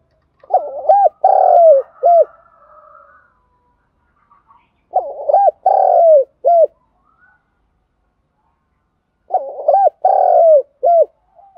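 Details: A spotted dove cooing in the morning: soft, low cooing phrases repeated about every four seconds.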